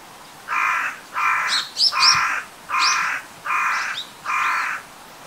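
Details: A Carrion Crow gives six harsh, hoarse caws in steady succession, roughly one a second, with faint high chirps from small birds behind.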